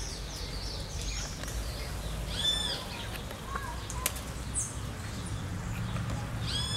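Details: In hot Brazilian summer weather, maroon-bellied parakeets bathe, giving a few short, harsh, screechy calls about two seconds apart over a steady low rumble with splashing and wing flutters.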